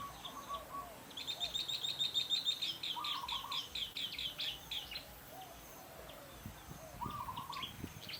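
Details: Wild forest birds singing in Phu Sing, Sisaket, Thailand. A fast, high, even trill of repeated notes runs for about four seconds, while lower, softer warbling phrases come and go beneath it over a quiet rural hush.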